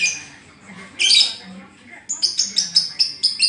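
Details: Lovebird described as moulting with a collapsed song, a single loud raspy squeal followed by a quick run of clipped, high chirps.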